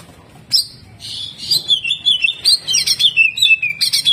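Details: Greater green leafbird singing hard in the jamtrok style, heavy with rough 'tembakan kasar' phrases: after a single sharp note, a rapid run of slurred high whistles and chips begins, sliding downward and repeating about once a second.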